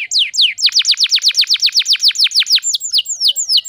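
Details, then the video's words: Canary song used as a lure to restart singing in canaries that have gone silent: a rapid, loud series of sharply descending whistled notes, about four per second, ending in slower, higher slurred notes. "PANCINGAN KENARI GACOR TERBARU AMPUH ATASI KENARI MACET BUNYI"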